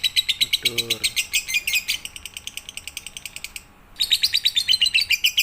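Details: Lovebird tutor song for night-time: quick, scratchy chirps with a short low nasal squeak early on, a brief silence, then the rapid bright chatter returns.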